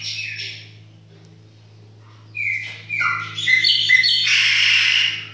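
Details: Kitchen-kept chopi blackbird: after a quiet start, a rich run of whistled notes and slurs that builds into a loud, rough, buzzy passage. A constant low electrical-style hum runs throughout.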